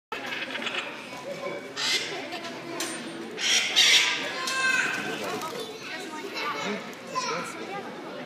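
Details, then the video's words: Pet Congo African grey parrot, not enjoying being sprayed with water, gives harsh, squawky and chattering calls with a few short whistled notes over a steady hiss of spraying water. "Congo African Grey Parrot NOT enjoying his spray b"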